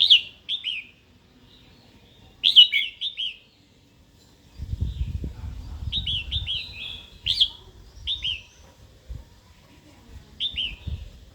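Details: Calls of a female red-whiskered bulbul, used by keepers to stir a freshly caught male to sing and fight. Short runs of sharp, chirpy whistled notes come in bursts, with dull low thumps and rustling in the middle.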